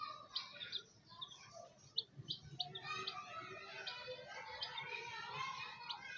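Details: A group of chicks peeping steadily, short high piercing notes scattered over a busy chorus of softer chirps, no other clear sounds.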